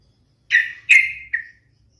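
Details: Yellow-vented bulbul uttering three slurred, whistled notes, the middle one longest, in a quick sequence.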